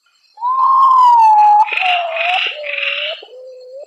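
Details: Midnight song of the Common Potoo, or urutau: a loud, sustained whistle that eases down through a series of lower, slightly wavering notes, with a hissy, buzzy noise laid over the middle part.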